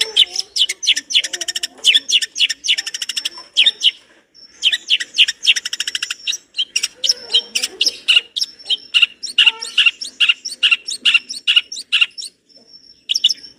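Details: Long-tailed shrike (cendet) in a rich, full-material tutor recording: a dense, high-pitched run of rapid chattering trills, sharp chips and buzzy notes, with brief pauses near four and twelve seconds.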